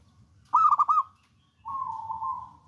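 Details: Zebra dove of local wild stock, bold and persistent in song, delivering a brisk burst of four bubbling coos, then a steady, soft purring trill.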